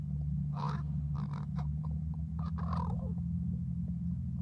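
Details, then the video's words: Crow or raven, possibly a young bird, in a conversation of rough, grating calls: a string of harsh, irregular caws and croaks over about two and a half seconds, backed by a constant low droning hum. "Raven or Crow"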